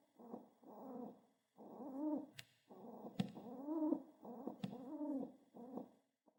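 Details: Pet pigeon, excited while being petted, pecking the ground in hope of more petting: a run of low, throaty, warbling coos in about seven bursts, broken by sharp dry taps of its beak on the floor.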